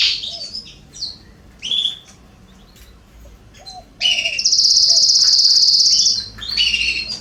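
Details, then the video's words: Canaries in a garden, September 2020, with sparse short chirps and brief phrases, then a loud sustained buzzy trill lasting about two seconds before more chirps. "Canaries singing in my garden September 2020"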